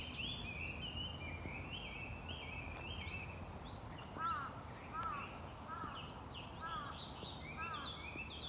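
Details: Chinese hwamei song of fast varied whistles and slurs continuing throughout, joined midway by a second bird's repeated lower downslurred call notes about once a second, against constant background noise.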